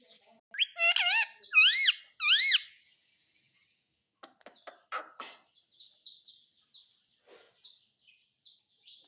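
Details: Talking pet parrot: three loud, nasal, wavering syllables in quick succession, then sharp clicks and soft, thin chirps.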